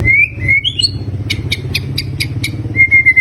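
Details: Caged fighter-type white-rumped shama sings rising whistles, then a series of about eight sharp, evenly spaced clicking notes, and ends on level repeated whistles; low engine-like rumble underneath.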